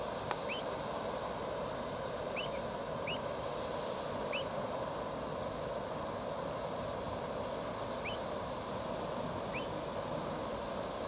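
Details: A lone pied avocet on the Oita River, Japan, November 15 at 10:02, gives six short, clear, upslurred 'kluit' notes over ten seconds while joining two others, over rushing water hiss and distant traffic.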